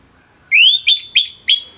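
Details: Orange-headed thrush song fragment, intended for tutoring other songbirds: one clear rising slurred whistle followed by three short, sharp whistled notes in quick succession.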